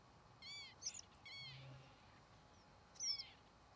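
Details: Flying northern lapwing (Vanellus vanellus) calling: three wheezy, downward-bending notes with a sharp squeaky top, spaced unevenly over a few seconds, against a quiet, steady background hiss.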